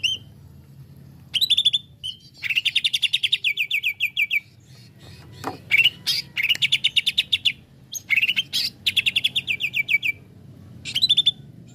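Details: Provoked greater green leafbird in excited song: several bursts of rapid, evenly spaced chirped notes, each run lasting one to two seconds, separated by brief gaps and scattered sharp clicks.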